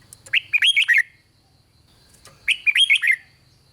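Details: Caged red-whiskered bulbul from Thailand singing to excite other bulbuls: two bursts of four or five rich, warbled whistled notes sliding downward, about two seconds apart, with a faint steady hum behind.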